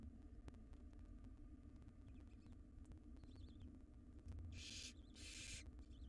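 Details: Begging from wild barn owl nestlings being fed a jird by their mother in a nest box: two loud rasping hiss bursts near the end after faint scattered sounds, over constant low background hum.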